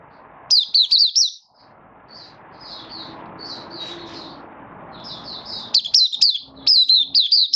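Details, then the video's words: Malaysian Oriental white-eye kept as a hobby bird, in light moult and building form, giving Buka Sing: sharp high twittering notes opening and closing, with softer, scattered chirps in between over a low room hum. "Malaysian Mata Puteh Buka Sing"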